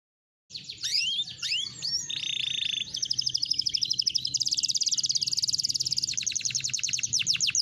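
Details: A green canary sings a bright, high song: quick sweeping whistles, then a long run of rapid even trills and rolls, with fast clicking notes closing the phrase.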